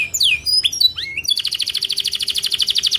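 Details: Melodious canary song, played to trainee canaries to prompt them to sing and imitate it: a few quick rising and falling whistled sweeps, then a long, even, rapid trill of bright repeated notes.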